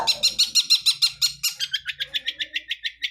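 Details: Long-tailed shrike of the blangkon kind, wild, in busy isian-filled song: quick runs of bright, clipped high notes, about six per second, changing midway to a slightly lower repeated note.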